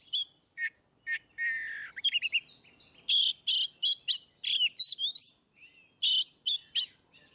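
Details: Ngeplong-style song of an Oriental magpie-robin, played to make reluctant birds sing: varied phrase of short sharp notes, a rasping trill, rapid whistled stutters, loud buzzy bursts and sweeping clear whistles, delivered in quick irregular succession.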